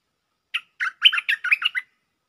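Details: Bulbul singing a lure phrase, 'Chao Bank' style with doubled notes. One short opening note, then six fuller warbling notes in quick succession, all clear and melodious against silence.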